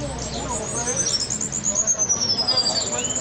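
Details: Cuban bullfinches in Cuba, called negritos, singing during a fight: a long, thin, very high whistled trill slides slowly downward over chattering notes, with faint background noise.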